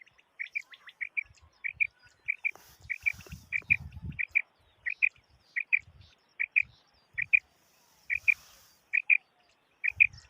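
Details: Common quail, a bird kept for hunting, delivering a long regular series of crisp twin whistled notes, about one pair every 0.6 seconds, with light rustling in the background.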